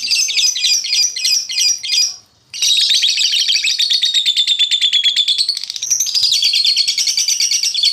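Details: Lovebird singing to provoke lazy lovebirds into singing: fast, dense chattering trills of rapid repeated high notes, one long rolling phrase broken by a brief pause near two and a half seconds, then resuming with buzzy pulsed chatter.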